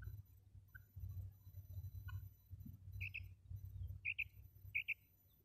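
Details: Calling female common quail used as a hunting lure: sharp doubled notes arriving in a cluster near the end, preceded by a few softer high chirps, over a low rumbling background.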